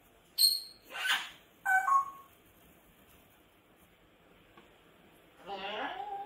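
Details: Pet grey parrot screaming indoors: a sharp high whistled note, a harsh burst, then a falling two-part whistle, a long quiet pause, and a final loud, descending, raspy squawk.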